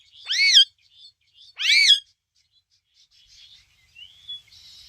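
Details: Ring-necked parakeet giving two harsh, harmonic screeches about a second apart, followed by soft scattered chatter and a brief rising whistle in a quiet room.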